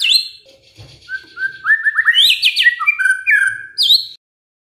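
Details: White-rumped shama, murai, singing a lure to provoke quiet birds into replying: a sharp high whistle, soft pause, then quick stepped upslurred whistles, a burst of rapid notes and falling slurred phrases, clean background.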